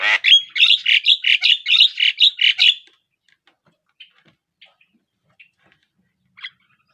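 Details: Javan myna chattering: a rapid, even series of about a dozen squawky, buzzy notes over three seconds, then only faint, scattered clicks and one short chirp near the end.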